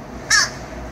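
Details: Crow giving a single short, harsh caw, described as saying hello, against a steady low background hum.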